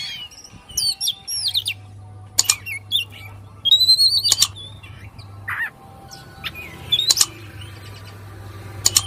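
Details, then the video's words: Oriental magpie-robin singing excitedly with tail fanned: varied high whistled phrases with rising and falling slurs, sharp clicking notes and a burst of rapid twitters, over a steady low hum. "KACER KONGSLET DAN BUKA EKOR"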